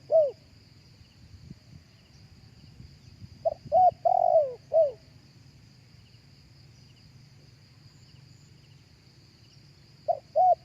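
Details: Live cooing of a spotted dove used as a speaker lure for other doves: three bursts of short mellow coos ending in a longer sliding coo, separated by long pauses with low insect-like hum underneath.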